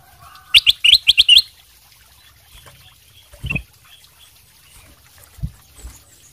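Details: Ruby-throated bulbul ('sutra' variety) singing as a lure so other birds reply; a fast burst of five or six twisting whistled notes, then quiet with a couple of soft thuds.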